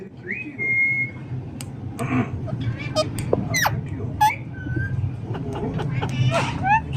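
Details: Talking parrot chattering nonstop: whistled notes, a long flat whistle early on, short sliding squeaks and speech-like sounds scattered through, over a steady low background hum.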